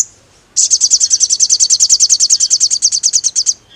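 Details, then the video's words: Lure song of a sogon (crimson sunbird) in energetic ngkleper style, used to anger rival sogons: a long, even, very high trill of rapidly repeated buzzy notes, about three seconds without a break. "PANCINGAN SOGON GACOR NGKLEPER, SUARA BURUNG SOGON BIKIN NGAMUK SOGON TROTOL METALIK EMOSI"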